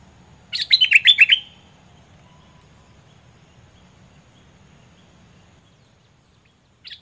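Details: Caged Olive-winged bulbul used as a decoy in southern Thai bird luring, giving one short, quick burst of gurgling, warbled notes, then near silence until a brief note at the end.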